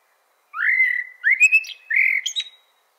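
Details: Chopi blackbird sings a phrase of rising, slurred whistles, some sustained and some quick, ending in a higher squeaky note, all within about two seconds. The background is quiet.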